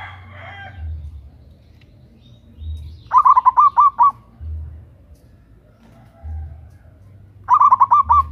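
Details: Calling female zebra dove, local Indonesian bird with a loud, strong voice, used to lure males: two bright bursts of quick, bubbling coos several seconds apart, with a brief fainter sound at the start.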